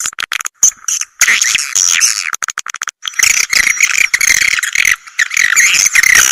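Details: Edible-nest swiftlet call track for swiftlet farming houses, meant to attract birds; quick clicking ticks open into long stretches of dense, rattling, buzzy chirping twitters with brief pauses.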